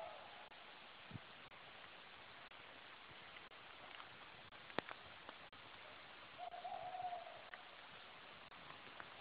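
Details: Tawny owl (Strix aluco) at night in the hills of the Sierra de Alhaurín el Grande, Spain, heard on a night hike. It gives one wavering, mid-pitched hoot partway through, after a faint trace near the start, over steady hiss and scattered clicks.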